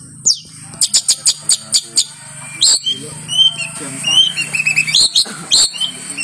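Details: A champion long-tailed shrike's song used as a training master: a fast run of sharp, high chips about eight a second, then varied whistled and scratchy phrases over a low hum.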